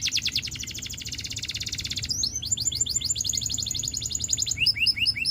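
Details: Russian canary in full song: a dense, pulsing rattle-like trill, then a brighter rapid trill and finally bouncy, rolling chirps. The notes are delivered at high speed with no breaks.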